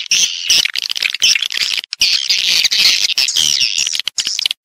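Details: Several swiftlets chattering in a stereo lure recording of calling and roosting sounds: a thick, shrill twitter with short breaks, high-pitched and slightly raspy throughout.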